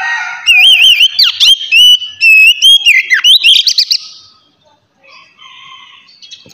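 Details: Oriental magpie-robin singing in the relaxed 'ngeplong' style, used to prompt untrained magpie-robins to sing: loud, clear whistled phrases with sharp up-and-down sweeps and rapid repeated notes for about four seconds, then a faint trailing warble.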